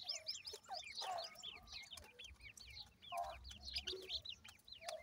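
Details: Grey francolin chicks kept at home, giving a dense chorus of thin, high peeps, each a quick hooked note repeated rapidly by several birds at once, with a few lower rough bursts and faint low rumble underneath.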